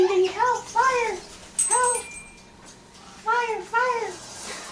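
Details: Female pet African grey parrot indoors in a small room, imitating a firefighter; voice-like arched notes in quick pairs and triplets, with short gaps between bursts and a faint steady hum beneath.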